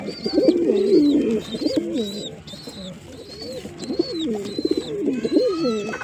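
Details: Several pigeons give deep, throaty rolling coos that swell and dip, overlapping steadily, while a faint high-pitched whistle recurs roughly twice a second in the background.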